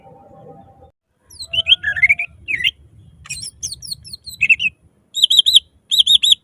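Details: Loud lure song of a greater green leafbird: after a low hum, a busy string of twittering, slurred and buzzy notes ends in repeated triple chirps, with a soft rumbling background.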